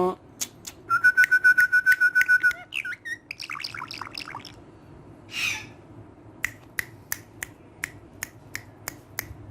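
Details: Pet green talking parrot said to speak Urdu, kept indoors. A buzzy, pulsed tone holds steady for about a second and a half, then comes scratchy chatter, a hiss, and a run of regular sharp clicks.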